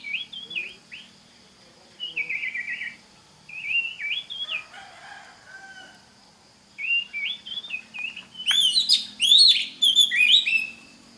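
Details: Oriental magpie-robin song played for young magpie-robins to learn from: short whistled warbles with pauses, a quieter scratchy stretch in the middle, then a louder run of sweeping whistles mixed with buzzy rasps.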